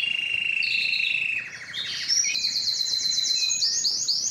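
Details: Belgian canary singing for training and to arouse females for breeding: a steady whistled tone rolls into a lower trill, then climbs into a rapid, bright, high trill.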